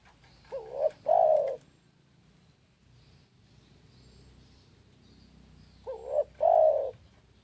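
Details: Two identical spotted dove song phrases about five and a half seconds apart, each a wavering short coo leading into a long, loud, mellow coo, over a faint low hum.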